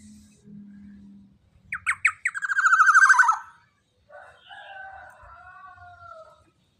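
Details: Big-bodied young black-naped oriole with a loud voice, used as a tutor for captive birds: harsh notes quicken into a rolling buzzy trill, then a few soft, drawn-out whistles follow after a pause.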